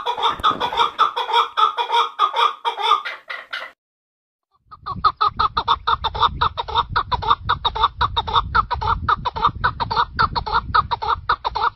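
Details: Chukar partridge calling in a fast run of harsh clucking notes with a rich, layered tone, several per second. A brief silent break falls midway, and a low rumble sits under the later calls.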